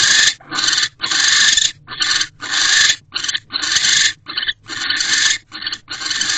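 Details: Barn owl pair in a nest box on the night of 18 December 2023, male back to mate and guard the door; loud, harsh, high screeches in irregular bursts of varying length, some broken into short pieces.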